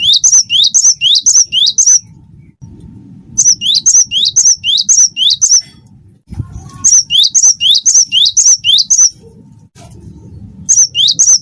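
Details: Cinereous tit of the wingko type in full voice, played to prompt other birds into song: four series of quick repeated phrases, each a steep rising note followed by a high thin whistle, with brief gaps and a low hum throughout.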